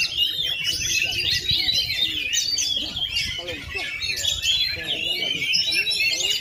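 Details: Oriental magpie-robin, a kept bird that has gone 2.5 years without moulting, sings fast varied phrases of sharp whistles and scratchy trills at full power, while people talk quietly in the background.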